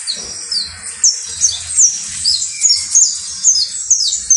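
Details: Saffron finch of the creole type singing: rapid high chirps and short slurred whistles, about two or three phrases a second, over a soft low rumble.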